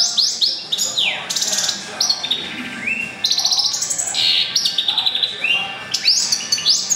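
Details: Goldfinch and canary mule hybrid, born April 2011, singing actively: a fast, varied run of high whistled notes, short slurs, buzzy phrases and rapid chirps, continuing without pause through the whole stretch.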